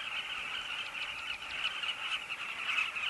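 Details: Carmine bee-eaters calling together at a colony at Kavinga Safari Camp: a dense, continuous chorus of overlapping, rolling, throaty mid-pitched notes with no gaps.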